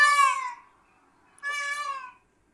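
Two loud, nasal, cat-like wails from a peacock, each falling slightly in pitch, separated by a second of silence.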